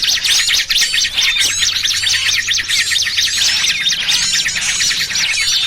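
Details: Small birds in a combined lure track for catching birds, trucukan among them: fast repeated chirps, roughly two a second, layered over shrill trills and zigzag notes from many birds, with a low background hum.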